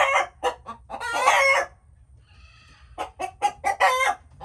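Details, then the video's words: Chickens calling, short clucks building into a long harsh squawk, then a quiet pause with a faint distant cackle before another burst of rapid clucks and a squawk. "Chickens making noises"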